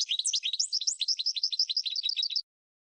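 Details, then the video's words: European goldfinch song used to train cage birds, one continuous run of quick, bright tinkling notes rising and falling, ending abruptly after about two and a half seconds. "Chardonneret 12h Goldfinch (Training Song)"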